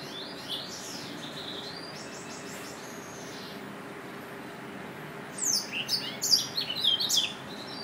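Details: Faint, soft high notes give way to a louder cluster of sharp, bright, descending chirps near the end, from a Yelloweye finch over steady background hiss.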